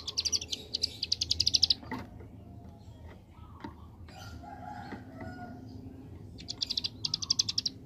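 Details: Ciblek gunung prinia in lively 'ngebren' form, giving a fast stuttering rattle of high buzzy notes, then a long quiet pause with faint background rustle before another quick machine-gun burst resumes.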